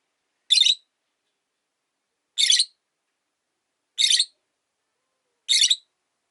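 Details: Widowed rosy-faced lovebird kept alone in a cage chirps four times, each a loud, rasping, piercing burst about a third of a second long, spaced roughly one and a half seconds apart in a quiet room.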